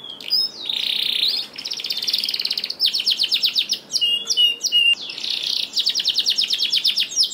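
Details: Canary singing vigorously to encourage lazy canaries: dense buzzy rolls and rapid trills alternating with sharp chips and whistled sweeps, almost without pause.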